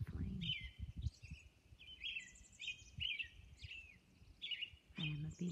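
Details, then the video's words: Dawn song of a Robin on Orcas Island: rising and falling whistled phrases in quick succession, with faint high squeaks between them and low rumbling sounds at the start and near the end. "Dawn Robin Song"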